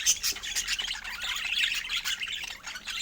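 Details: Pet budgerigars chattering joyfully: a continuous high, scratchy warble of overlapping chirps, clicks and squeaks from several birds.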